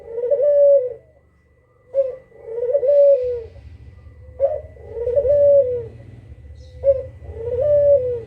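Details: Kugeruk, a recording meant as a lure so other birds answer: a short clipped note followed by a long, smooth, slightly arching coo, repeated about every two to three seconds, over a steady low hum.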